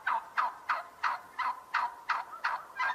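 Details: Turkey giving a steady run of nine short, rough notes in three seconds, one roughly every third of a second, in a quiet setting.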